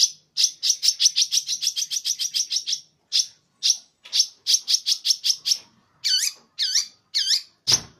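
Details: Song of a champion long-tailed shrike from Madura with tail still moulting: a rapid run of sharp high chips, then spaced notes and several rising-falling looped whistles.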